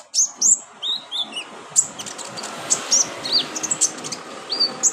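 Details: Brown-throated sunbird uttering thin, high chirps and curved, slurred whistle notes at irregular intervals, in a therapy recording aimed at making caged birds sing often. A soft background hiss runs throughout.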